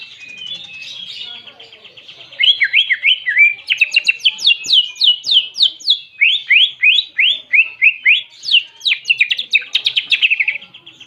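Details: Greater green leafbird delivering canary imitations: soft warbling at first, then a long, lively run of crisp, high chirps repeated about three per second, some slurring downward, others rising.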